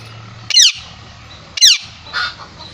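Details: Parrot, a male and female pair, giving two loud, harsh descending squawks about a second apart, followed by a softer, lower burst.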